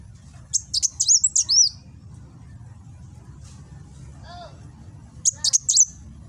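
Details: Kolibri wulung sunbird phone-recorded in Gresik, Java, in nembak song: an energetic run of high chirps and curved whistles, a quiet stretch with a soft lower descending call, then another brief high burst.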